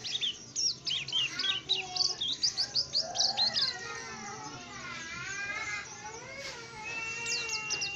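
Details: Tame oriental white-eye singing actively, opening with quick bursts of high, tinkling chirps that then fade into a lower, wavering, harmonic warble carrying on to the end.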